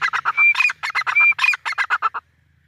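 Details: Grey francolin, called Dakhni teetar: a loud, harsh burst of rapidly repeated grating notes, about twelve in two seconds, with short clear whistled tones woven in, ending abruptly and followed by quiet.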